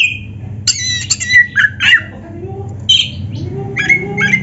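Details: Kacer, or oriental magpie-robin, in vigorous song: scattered bursts of harsh chattering and bright whistled notes, separated by short gaps, with a constant low background hum.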